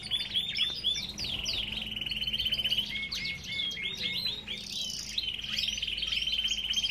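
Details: Belgian canaries in an aviary: several birds singing together, with steady fast warbling trills and overlapping high chirps and whistles throughout.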